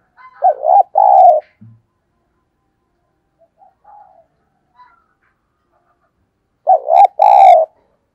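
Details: Spotted dove cooing as a lure to draw in other doves: two loud, throaty, low coo phrases, one near the start and one near the end, separated by about five seconds of near silence with a few faint notes.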